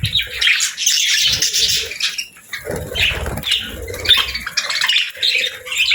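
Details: Pet budgerigars described as happy, giving continuous high scratchy warbling chatter in uneven bursts with brief dips between phrases and a soft low hum in the background.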